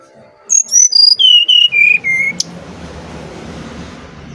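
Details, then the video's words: Brown-chested jungle flycatcher from Bali singing to lure other birds: seven clear whistled notes, each lower than the last, about four per second, then a low steady hiss. "Burung Sikatan Rimba Dada Coklat Bali Gacor Nyuling Untuk Pancingan SRDC"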